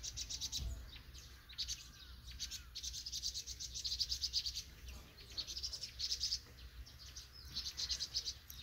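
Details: Young vinous-throated parrotbills just out of the nest in Banghak-dong, Dobong-gu, giving bursts of high, thin twittering chirps separated by short gaps, with low traffic-like rumble underneath.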